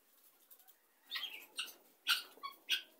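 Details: Guineafowl gathered in a group: after a near-quiet second, a handful of short, harsh, chattering calls burst out at uneven intervals.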